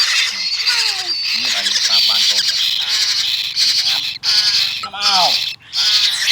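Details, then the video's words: Pet parrot chick begging at its morning feeding, hungry and excited for milk: loud, harsh, rasping squawks repeated in quick bursts, with descending whistled notes and human speech nearby. "Adorable Parrot Chick Can’t Wait for Milk"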